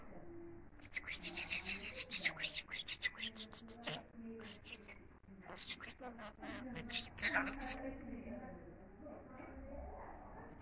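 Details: Pet budgerigar talking: rapid, speech-like chatter of scratchy syllables mixed with sharp clicks and buzzy high bursts, delivered in quick uneven runs with brief pauses, in a quiet indoor setting.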